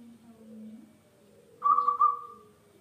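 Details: Local zebra dove singing actively, kept as a lure to make other birds sing: one mellow, rolling coo with a burbling start that settles into a steady, fading tone, over a low constant hum.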